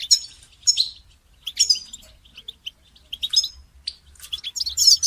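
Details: Lively goldfinch song used in song training: rapid, high-pitched twitters mixed with liquid chirps and short buzzy rolls, the phrases separated by brief pauses and growing denser toward the end.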